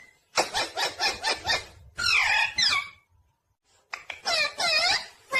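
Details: Indoor pet parrot, a talking bird, making a run of pulsed harsh chirps, a loud grating squawk, a pause, then more rapid wavering chirps.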